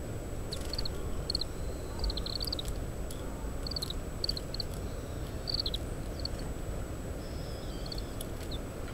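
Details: Feeding Oriental greenfinch eating seeds from opened summer camellia fruits, calling quietly, captured through a parabolic microphone in strong wind: many quick high twittered notes in short bursts, some slurred, with steady low wind noise beneath.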